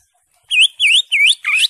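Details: Cucak hijau, the greater green leafbird, in gacor full isian ngentrok song: four loud, clear whistled notes in quick succession, each dipping then sweeping upward, the last one rougher and more buzzy.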